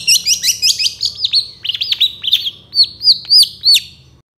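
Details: Young long-tailed shrike in moult, singing busily in a full isian style rich in mimicked phrases, from a master recording used as a lure: quick varied chirps, then loud arched whistled notes, each rising and falling, repeated about every third of a second.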